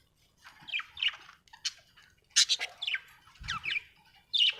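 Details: Cheerful budgerigar chirps arrive as a string of slurred, falling warbles and sharp clicks, bunched into quick pairs with short pauses between, one dull low knock partway through.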